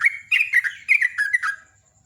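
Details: Morning ngecruk song of a sooty-headed bulbul, a rapid chattering run of liquid whistled notes in two close phrases, then quiet.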